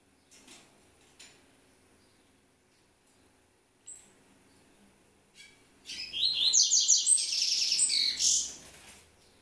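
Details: A captive-bred double-collared seedeater bursts into a fast, bright run of high chirps and trills lasting about three seconds, after a few soft clicks and scattered notes.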